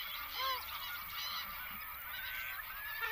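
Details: Great black-backed gulls at Rutland Water Nature Reserve on 28 August 2023, giving a few short, hoarse, arched honking notes near the start over a constant busy background of many other birds, with thin high chirps throughout.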